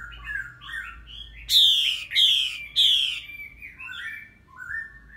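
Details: Red-whiskered bulbul female, through three moulting seasons, calling vigorously to excite a male: soft warbled phrases, then three loud harsh buzzy notes in quick succession, then more quiet warbling.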